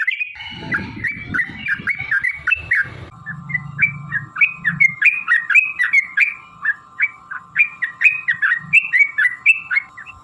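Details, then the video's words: A sooty-headed bulbul sings a long 'ropel' lure song to draw other bulbuls into singing: spaced, bouncy chirps over a steady humming tone, with low noise at the start. "trucukan gacor TARUNG ROPEL PANJANG pancingan trucukan agar bunyi jadikan burung trucuk gacor EMOSI"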